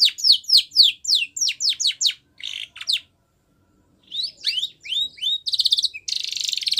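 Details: Training song of a white Spanish Timbrado canary: rapid falling whistled sweeps, a short pause, then chirpy notes leading into dense, bell-like rolling trills at a very high pitch.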